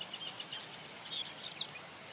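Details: Yellow-bellied Seedeater (Sporophila nigricollis) recorded in Itabirito, Minas Gerais, Brazil, giving three thin, high notes that slide downward, two close together near the end, over a steady insect buzz.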